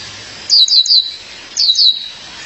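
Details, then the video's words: A female violaceous euphonia calls her mate with two clear bursts of three rapid, high, descending whistled notes, about one second apart. "Fêmea de Guriatã, chamado seu parceiro."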